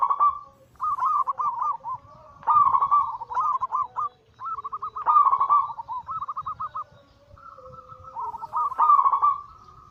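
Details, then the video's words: Zebra dove anggungan cooing used as a lure recording: a steady run of trilled, bubbling coo phrases roughly every one to two seconds, some overlapping as if from more than one bird, with a faint low hum beneath. "Masteran Pancingan harian burung perkutut Anggungan paling ampuh langsung emosi gacor"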